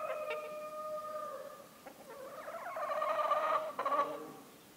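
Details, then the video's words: Farmyard cockerel in the Massif Central during winter, heard at a distance: the tail of a drawn-out, steady crow fades away, then rougher, broken notes swell and drop back over a faint background hiss. "COQ Domestique/Chant à la Ferme !"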